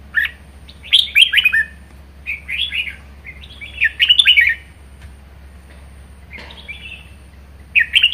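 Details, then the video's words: Red-whiskered bulbul kept as a pet, singing hard in the 'ché' style: bursts of bright, chattering warbled phrases come every second or two, each with rapid slurred whistles and sharp clicks, against a low steady hum. "Chào mào hót hay | chào mào ché hay | chào mào siêu ché"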